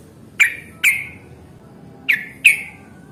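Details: Yellow-vented bulbul giving lure song in fighting mood, meant to coax other bulbuls to reply: two pairs of loud, sharp chirps falling in pitch, the pairs roughly a second and a half apart, quiet background.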